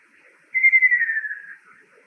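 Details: Single descending trill from a male Ruddy kingfisher, summer visitor to Japan, said to call before rain; the rolling note begins strong, drops gradually in pitch and tapers off softly after about a second.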